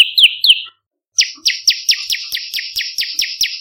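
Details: Olive-backed tailorbird used as a bird-attracting lure: two lower chirps, a pause, then a quick sequence of higher, thin, buzzy down-slurred notes repeated roughly three times a second.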